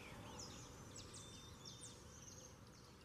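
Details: Double-collared Seedeater singing in the morning, a quick run of thin, high, sliding notes, faint against a steady low hiss of background noise.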